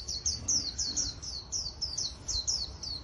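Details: Wild-caught caged Japanese white-eye used for trapping contests sings a brisk series of bright, thin downslurred chirps, about four notes per second, clear against soft background hiss.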